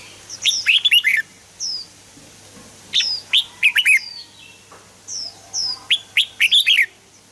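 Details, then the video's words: Red-whiskered bulbul song played to stir caged birds into singing: bright, loud phrases of four or five quick whistled notes, bursts spaced about two seconds apart, with a thin high call between them and a faint steady hum beneath. "เสียงนกกรงหัวจุก สำหรับต่อ หรือ เปิดให้นกคึก เสียงเพราะๆ"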